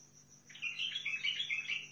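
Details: Sihani bulbul of Al-Faw in Basra singing a fluid, chattering warble of quick, looping notes that starts after a half-second pause and runs on for over a second, over a thin constant high-pitched hum.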